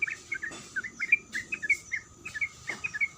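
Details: Female sooty-headed bulbul calling the male: short bright two-note chirps in loose bursts, pausing around half a second and again near 2 seconds, over a steady high insect-like hum and a faint lower drone.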